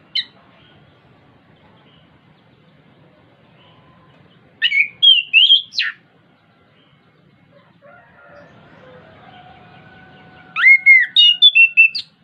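Two bright bursts of rich, varied whistled phrases, high and quick, from an orange-headed thrush, separated by a quiet stretch with faint lower notes.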